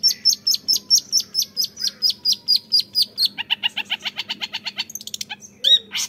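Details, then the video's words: A young long-tailed shrike sings a varied run of sharp, high chips about three a second, then faster buzzy trills and squeaky notes, over a faint low hum. "GAYA CENDET MUDA"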